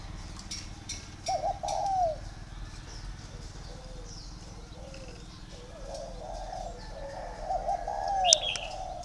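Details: Home-bred tame spotted dove, a captive bird in Vietnam, cooing low and hollow in two bursts of slurred, arching notes, with brief wing flutters and a sharp high chirp near the end.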